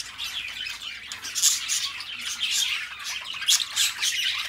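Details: Pair of pet budgies singing side by side: a bright, buzzy stream of rapid chirps and squeaks, rising in small bursts roughly every second, steady chatter throughout.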